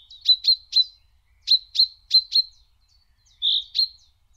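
A Common Chaffinch gives sharp, high 'pink' notes in quick bursts of three, four, then two, against a quiet background.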